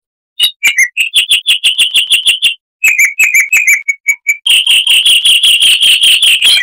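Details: Chestnut-vented warbler in bright 'Kristal' song: fast runs of ringing chirps, about three per second, broken by a short pause, ending in a dense, continuous burst of notes.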